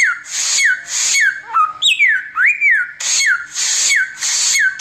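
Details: Oriental magpie-robin in nonstop tembakan song, suited for tutoring birds: harsh rasping bursts, each ending in a clear whistle that falls away, repeated about once a second, with a looping rising whistle in the middle.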